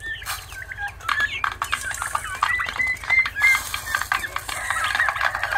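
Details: Turkey chicks calling in a chorus of short, clear peeps and slurred whistles, several birds overlapping at once, with scattered clicks and knocks in the background throughout.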